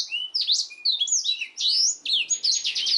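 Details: Black-throated canary singing for canary training: varied high whistled slurs and sweeping notes, then a quick stuttering trill toward the end.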